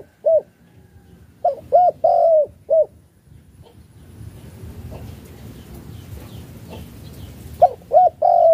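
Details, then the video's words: Malaysian spotted dove giving its chiêu gù cooing style: a short hollow coo, then a three-note cooing phrase ending in a drawn-out note and a last soft coo, a long pause with low rumbling background noise, then the phrase repeats. "cu gáy chiêu gù ma lay si a"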